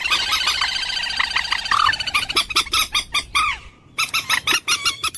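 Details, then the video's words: Common moorhen: blurred chattering at first, then distinct harsh clucks and a couple of downslurred squawks, a short silence, and another quick run of clucks. "ডুংকোর পাখির অরিজিনাল ডাক / ডুংখোর পাখির ডাক / জল মুরগী পাখির ডাক / Common Moorhen bird call"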